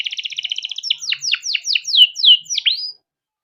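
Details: Caged male canary, used as a tutor for juvenile canaries, singing a fast even double-pitched trill followed by about eight loud downslurred whistles, the last one rising, then silence.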